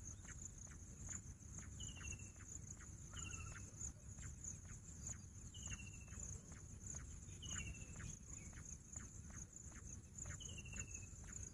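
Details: Bush quail, known locally as Pahadi Bater, giving short whistled notes that slide downward, repeated about every two seconds over a steady high insect drone and scattered clicks.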